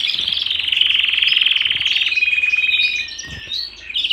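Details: Domestic canary singing indoors: a long, rapid rolling trill held at one high pitch, then shifting to a flatter buzzy trill and brief whistled notes, with a faint low knock in the background.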